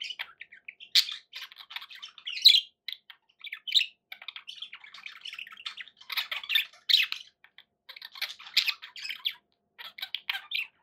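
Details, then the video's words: Pet budgerigars in long, soft, continuous twittering, ticking clicks and warbled chirps with occasional louder squawks. "11 hours of budgie sounds"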